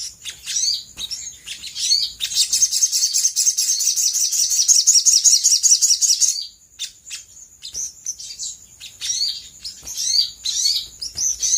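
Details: Brown-throated sunbird singing as a lure to draw quick replies from other birds: scattered high twitters, then a long dense, very high buzzing trill lasting about four seconds, followed by more sharp chirps.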